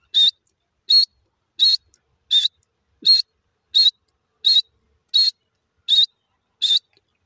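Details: Francolin chicks, the Iranian desi teetar, give a steady series of high, clear whistled peeps, each note with a small rising twist, spaced evenly about every 0.7 seconds in an otherwise quiet background.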